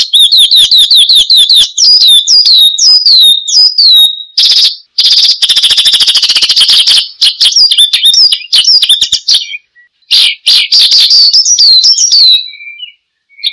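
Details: Oriental skylark, called branjangan, in full lively gacor song used as a lure and tutor for cage birds: high chirps and sweeping whistles, then a long rapid buzzy trill with brief pauses.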